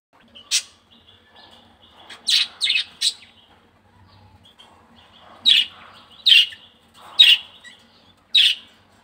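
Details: A pet budgerigar kept at home gives short, scratchy, high chirps in irregular bursts, about one a second, with a soft warble between them in a quiet room.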